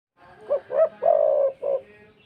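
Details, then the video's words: Spotted dove giving its distinctive 'kuk 2' call with a thick, deep voice: two short coos, then a long drawn-out rolling coo and a final short note, low and mellow. "PANGGILAN KHAS ( KUK 2 ) SUARA tebal dan besar Membuat tekukur IKUTAN PANASS"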